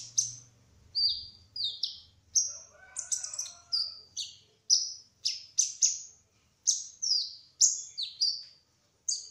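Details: Actively singing trotol kolibri ninja sunbird: a rapid series of high, piercing, down-slurred chirps and short twitters, spaced under a second apart, with a faint low hum near the start.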